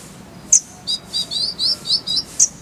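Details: Kolibri ninja, the purple-throated sunbird, sings a short phrase of soft slurred high twitters bracketed by two sharp piercing chips, over faint low background noise.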